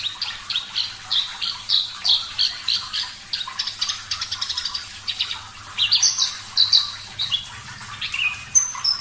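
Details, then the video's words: Javan bush lark, parva type, singing steadily with a clear voice: a rapid run of sharp, high chirps and short whistles, followed by varied sliding and buzzy notes near the end, with a faint low hum beneath. "Masteran Branjangan Parva Gacor Suara Jernih"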